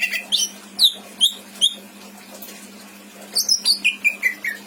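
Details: Caged greater green leafbird kept as a pet in Indramayu, singing a rich mimicking song: bursts of sharp, slurred whistles and chirps swooping down in pitch, separated by a pause, with a steady electrical hum beneath.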